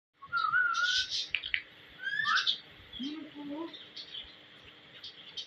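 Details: Pet ringneck parrot calling: a whistled rising note, bursts of harsh noisy chatter, then lower warbling squeaks, in a quiet room.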